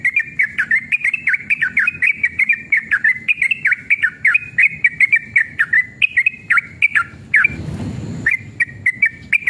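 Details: Agitated male sooty-headed bulbul giving a long, lively rolling song as a lure for other bulbuls: steady stream of warbled, bubbling whistles, rapid and unbroken, briefly covered near the end by a loud rushing burst of noise.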